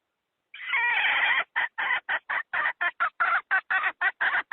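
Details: Chicken hen calling to lure wild fowl into a trap, opening with a rough, nasal note held about a second, then a rapid string of around fourteen clipped clucks at a brisk, slightly uneven pace, close and dominant against silence.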